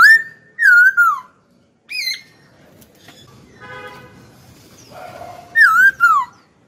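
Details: Pet Hwamei singing eagerly and often: loud wavering whistled phrases, rising then dipping, repeated at the start and end, with a brief harsher buzzy stretch between.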